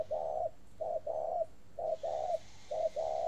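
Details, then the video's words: Spotted dove at a dove farm in Ba Vi, Hanoi, Vietnam, in a long cooing series: low, steady paired coos, a short note then a longer one, repeated four times at an even pace. "chim cu gáy gù gì mà dài hơi thế ko biết"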